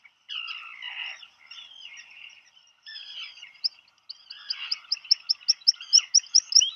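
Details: Black guillemots in a nesting burrow, Seal Island National Wildlife Refuge, Maine, USA, June 2020, a parent bringing food to a chick: soft lower buzzy notes at first, then a quickening run of sharp high whistled pips.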